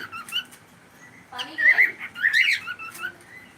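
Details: Pet cockatiel calling during a live stream: a few faint chirps, then a burst of bright, upswept whistled notes near the middle, with soft voices and room noise underneath.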